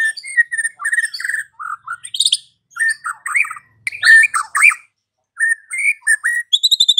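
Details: Afternoon lure song of a white-rumped shama, meant to make a silent bird sing: varied whistled phrases, chirps and buzzy notes in bursts separated by short pauses, ending in a quick high repeated trill.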